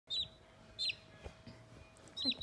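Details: Sultan chicks, a critically endangered white crested chicken breed with feathered feet, just a few days old, playing; a few high, short descending peeps spaced apart, with a faint steady hum underneath.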